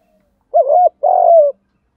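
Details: Single double coo of a spotted dove in 'gù đấu' fighting style, used to stimulate decoy doves: a short wavering low note followed by a longer, slightly buzzy, falling coo, with silence around it.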